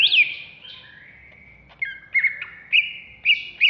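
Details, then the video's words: Agitated ngamuk singing by a captive greater green leafbird of the Alas Purwo type in Jatiasih, Bekasi: long steady whistled tones broken by loud sharp chirps and rising-falling accents every half second. "Cucak Hijau Alas Purwo Ngamuk"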